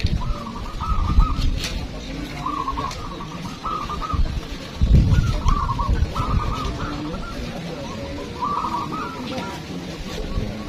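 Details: Competing local zebra doves (perkutut) sing a series of stuttering, bubbling coo phrases, roughly every second or two across the clip, over a busy crowd with talking and occasional bumps.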